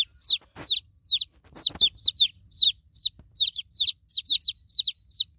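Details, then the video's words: Baby chickens calling for their broody mother: clear, high descending peeps about twice a second, with two soft thumps early on. "New Born Chicken Chicks Calling For Broody Mama Hen"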